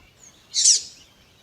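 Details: Double-collared seedeater in tui tui style with a female's call, used for training other seedeaters: one bright, high, buzzy chirp of about a quarter second with a soft fading tail, then near silence.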